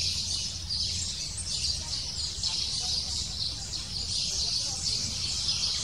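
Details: Excited lesser spotted woodpecker nestling begging while the female visits with food, a continuous, pulsing high-pitched chatter in swelling waves over low background noise.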